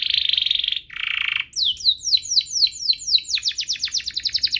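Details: Canary singing in a duo compilation meant to spur other canaries into song and train young ones: two dense buzzy rolls, then a rapid run of high downward-sweeping notes that accelerates into a quick chattering trill.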